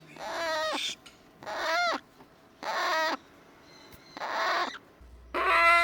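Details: Eclectus parrot chick, a pet, begging to be held after eating baby food. Five harsh, nasal squawks, each about half a second long, come roughly once a second with quiet gaps between them.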